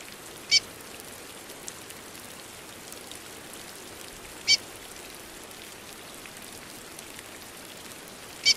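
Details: Female curió calling during rain, giving three short high chirps spaced about four seconds apart against continuous rainfall.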